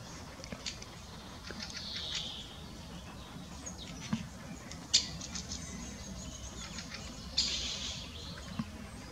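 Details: Spotted flycatcher (Muscicapa striata) perched on a lookout in the Munich Botanical Garden gives thin, high calls: a few sharp ticking notes scattered irregularly over a low background hum.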